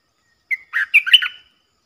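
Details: A bulbul in southern Thailand during a lure-bird session, a wild bird answering the caged decoy: one short, clear phrase of a brief whistle followed by three or four quick, bubbling, warbled notes, in near silence.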